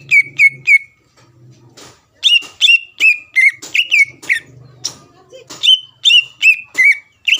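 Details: Greater green leafbird song aimed at provoking a rival; short bursts of clear whistled notes repeated quickly, broken by quiet gaps with faint low murmuring in the background.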